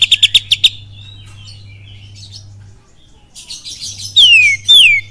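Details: Kapas tembak lure song of an oriental magpie-robin: a quick string of about six sharp repeated notes, soft scattered twitters, then loud descending whistles, with a steady low hum.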